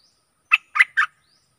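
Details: A stripe-throated bulbul gives a short three-note phrase of liquid, warbled chirps, used as decoy song for luring aggressive wild birds, with nothing else heard.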